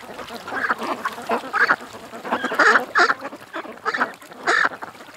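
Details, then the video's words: Loud, distinct duck quacks come from a creek. Separate harsh bursts arrive roughly every half second to second, with quieter chatter between them. "Ducks At The Creek"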